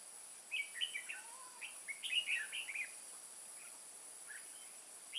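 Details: Red-whiskered bulbul used as a decoy, singing to lure wild birds into a trap at Kim Bôi, Vietnam, on 14 May 2018; bursts of short warbled, chirpy notes in quick runs over steady insect hiss.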